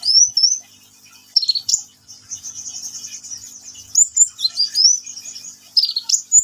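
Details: Ninja sunbird singing vigorously: a very high, thin run of sweeping, slurred twitters and trills, with short rising and falling flourishes between brief pauses. Little else is heard.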